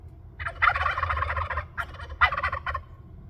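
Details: Wild turkeys around a patio on Orcas Island in late April 2024; a loud, rapid, rattling gobble lasting about a second, followed by two shorter gobbling bursts, over a low background hum.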